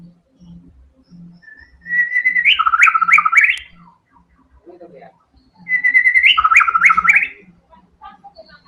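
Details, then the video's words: White-rumped shama in energetic full song, two loud phrases each opening with a sustained whistled note then rapid rising-and-falling warbled notes, separated by pauses; faint low rhythmic pulses underneath. "TEMBAKAN MURAI BATU GACOR BONGKAR SEMUA ISIAN FULL FIGHTER"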